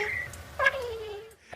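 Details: A pair of bowerbirds imitating a lady's call to her cat, picked up within a year; a high note, then a long sliding voice-like call descending steadily, with a soft click at the end.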